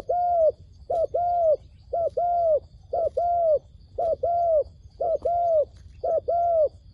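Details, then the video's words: Dove calling to lure wild doves into a trap: low cooing pairs, a short coo followed by a longer, slightly falling one, repeated steadily about once a second, with faint insect hum behind. "ឱ្យតែជួបលលកព្រៃ ធ្នាក់ហៅបរសឹងដាច់ខ្យល់"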